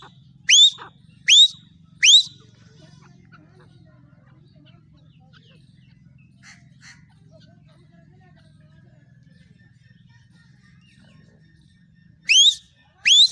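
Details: Female black francolin calling: three upward-sweeping whistled notes, then a long stretch with only a low hum and a couple of faint clicks, then two more rising whistles.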